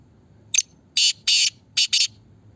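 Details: Black francolin in Pakistan, one of the birds in a calling contest: a short harsh note, then four loud, grating broadband bursts in quick succession, the last two close together.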